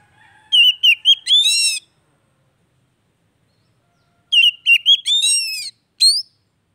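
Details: Oriental magpie-robin (kacer) song meant to restart a bird that has gone quiet; two similar phrases a few seconds apart, each wavering whistles ending in a harsh, rich rasp, with a short rising whistle closing.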